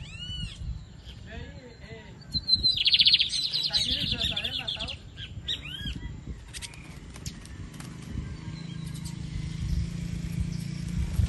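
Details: Lined Seedeater kept by a breeder in Brazil, 2023 season: one dense buzzy trill burst after short chirps, followed by scattered clicks and faint calls, with low background hum and some voices.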